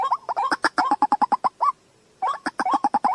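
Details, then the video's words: Quick, clipped nasal notes from a white-breasted waterhen in July 2024, delivered in a hurried stammering run. After a second of silence, a fresh burst of rising, bouncing croaks follows. "Jal murgi ki Awaaz 07/2024. TUFAN. Waterhen Call Sound."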